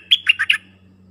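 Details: Brief burst from a dok taeng bird used as a decoy for attracting wild birds: four rapid whistled notes falling in pitch, over a steady low hum.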